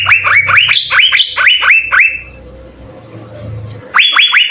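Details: Asian fairy-bluebird (cucak biru), six birds singing for use as a tutor recording: loud rising whistles repeated rapidly for two seconds, a quieter gap with low hum, then three more upswept notes.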